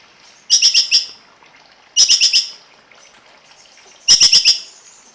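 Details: Cungkok song recorded as a tutor track for songbirds: three bursts of rapid, harsh, high chattering notes, each about half a second long, separated by quiet gaps of over a second.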